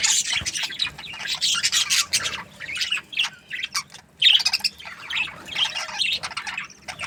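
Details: Budgerigars chattering in a steady run of buzzy, squeaky chirps, a short lull near four seconds, then a sharp loud burst of warbling chatter that fades toward the end.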